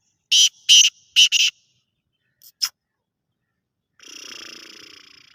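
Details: Four loud, harsh, rasping notes from a black francolin in quick succession, a brief pause with two thin clicks, then a softer drawn-out buzzy sound.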